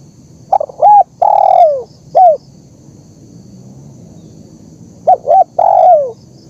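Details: Spotted dove (terkukur) recorded to train birds and lure wild doves: a full phrase of short notes, a long downward coo and a short coo, then after a pause another phrase begins.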